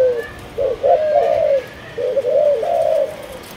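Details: Malaysian-line spotted dove sings two drawn-out cooing phrases, each opening with a brief note and swelling into a wavering, slightly stepped longer coo, against a quiet background.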